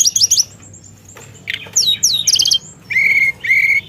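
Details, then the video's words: Javan tesia singing actively in a rolling style with mimicked phrases: quick high twittering notes, then sharp descending whistles and buzzy bursts, ending in two steady level whistled notes separated by a short pause. "Burung Teledekan Gacor Dorr Ngeroll Isian"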